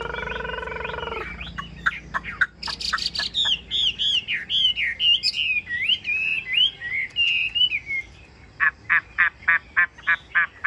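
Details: Chinese hwamei kept as a cage bird, long-bodied with sleek glossy feathers, pouring out varied whistled phrases. A brief harsh buzzy sound opens the recording, then wavering slurred whistles follow, ending in a fast series of short, sharp repeated notes.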